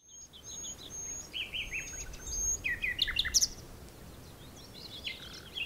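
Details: A common nightingale sings varied phrases on the dunes of Texel: thin high whistles, then rich chuckling and rattling notes, with steady background hiss.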